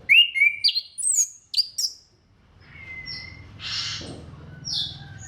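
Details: Orange-headed thrush singing, a recording meant to stimulate other thrushes to sing: a few loud, clear whistled notes and slurs, then softer drawn-out whistles and a rushing burst over a low background hum.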